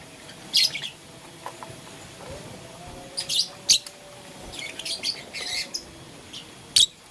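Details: Blue, lutino and green lovebirds playing with a flower let out irregular groups of high, bright, scratchy chirps, several short bursts spread across the recording with a sharp single tweet near the end.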